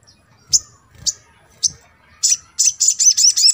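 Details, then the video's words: Little spiderhunter (sogon) from a track played to provoke singing in birds that rarely call: three spaced high chips, then a fast run of bright, sharp notes repeated several times a second. "TERAPI MENINGKATKAN EMOSI SOGON YANG JARANG BUNYI"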